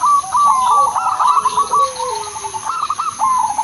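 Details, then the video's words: Zebra dove of the Udanmas silver crossing line, a melodious lure song used to get other zebra doves singing: dense, rapid staccato cooing notes with quick bubbling trills, continuous and overlapping, with softer lower sliding coos beneath. "perkutut/merbok udanmas silver crosing irama merdu spesialis pancingan bikin semua perkutut manggung"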